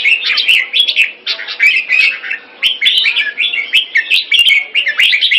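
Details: Red-whiskered bulbul in captivity in Singapore, keke on command: continuous energetic warbling, rapid chirpy phrases strung together, a faint steady hum and scattered clicks behind.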